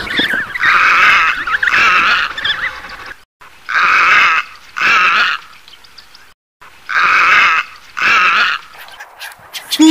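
Harsh, goose-like honks from a flamingo, given in pairs about every three seconds, with quiet gaps between.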